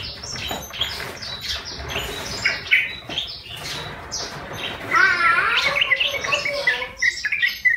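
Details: Yellow-vented bulbul, wild-caught with a lure and kept one month, now in voice: scattered chirps build into a loud burst of rapid trilled, rippling notes near the end.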